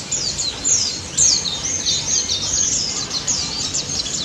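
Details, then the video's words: Energetic white-eye song meant to coax silent white-eyes into singing: a continuous stream of high, tinkling twitters and rapid slurred notes, barely broken, over a low hiss. "BURUNG PLECI DAPUT GACOR NGALAS NEMBAK"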